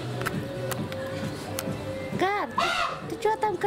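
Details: A captive common raven among birds of prey, noted as very noisy, gives two hoarse, arching calls that dip and rise, following a low hum and a woman talking nearby.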